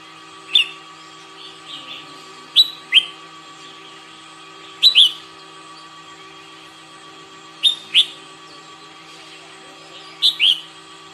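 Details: Red-whiskered bulbul during morning singing practice, giving short paired chirpy whistles every two to three seconds over a persistent background hum.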